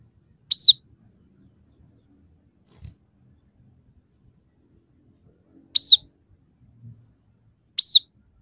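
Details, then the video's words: Single high, sharply falling whistled notes from a scaly-breasted munia, spaced several seconds apart over near silence. "suara burung emprit peking gacor dengan tiga variasi lagu"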